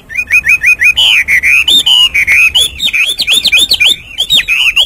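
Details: Hwamei singing in the morning: a loud run of rapid repeated whistled notes, then varied rich, slurred whistles rising and falling, delivered continuously without pause.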